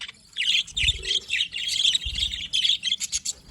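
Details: Happy budgerigars warbling in a continuous run of buzzy chirps and short whistles, ending in a rapid series of clipped staccato notes, with faint low knocks behind.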